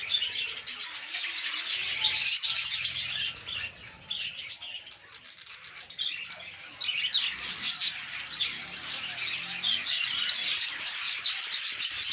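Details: Lovebird colony at the time of eggs and chicks, giving rapid repeated shrill chirps and squawks, a loud chattering stretch early, quieter middle, then renewed busy calling.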